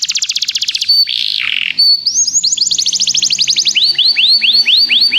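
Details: Singing canary for song training: quick trill, a buzzy warbled phrase, a short whistled note, then a long run of rapid sweeps shifting into slower, ringing upward-curving notes near the end.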